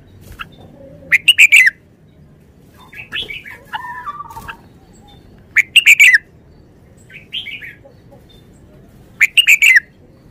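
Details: A caged red-whiskered bulbul with a short, busy song: bright warbling phrases about every four seconds, with softer chirps between them, over a low background hiss.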